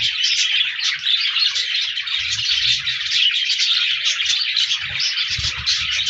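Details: Flock of budgies chirping on 14 January 2024, steady high twittering chatter with buzzy warbled phrases overlapping, plus light low rustling and knocks.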